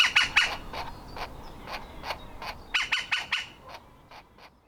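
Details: A young woodpecker, ready to leave the nest any moment, calls insistently from its nest hole. Rapid harsh squawking notes come in quick groups and fade toward the end.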